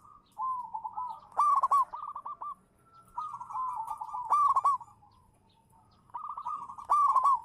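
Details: Champion local zebra dove sings as a lure: rapid, purring coo series rise to loud, ringing accented notes, in three phrases spaced about three seconds apart.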